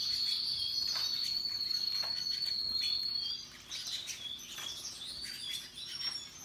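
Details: Canaries, Russian yellow and Timbrado birds said to be happily singing: a long, steady high trilled roll for about three seconds, then broken, varied chirps and short trills over a faint background of other birds.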